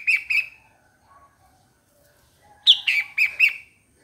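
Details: A bulbul gives a pair of clear, slurred notes, falls quiet, then delivers a livelier phrase of four bubbly, downward-sliding notes.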